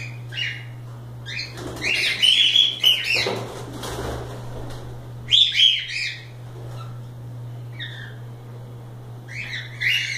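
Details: Free-roaming pet cockatiels at play give bursts of bright, scratchy chirps and whistles, with a longer flurry in the middle and a few short calls after it, over a steady electrical hum.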